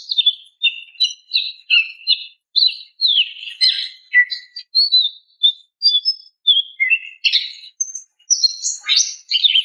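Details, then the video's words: Female greater green leafbird call meant to draw a male: steady series of quick varied chirps and whistles, roughly two to three per second, bright and high-pitched with slight buzzy notes. "SUARA BETINA MEMANGGIL JANTAN"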